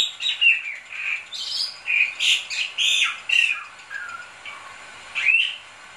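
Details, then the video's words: Bali myna in full song, a lively series of loud squawky and whistled notes, some rising and some falling, delivered in irregular bursts over about five seconds in a quiet setting. "Suara jalak bali gacor"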